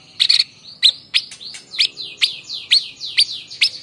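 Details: White-breasted babbler (Stachyris grammiceps), endemic to Java and used as a song tutor for other birds, gives a fast series of sharp, high chirps, about two per second, each with a short downward slur.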